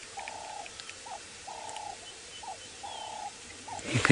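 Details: At sunrise on 16 February 2018 on a safari drive, a red-eyed dove gives low, steady coos in the background, each long note followed by a short clipped one, about every second, with a faint rustle at the end.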